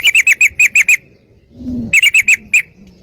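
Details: Yellow-vented bulbul lure recording to stir other bulbuls into song: two quick bursts of sharp, clipped chirps, about seven notes each, separated by a soft low murmur.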